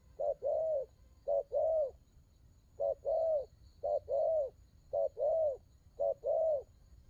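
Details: Spotted dove in đồng gù cooing. Six even phrases, each a short low note then a longer rounded coo that swells and falls, spaced a little over a second apart. A faint background hum is present.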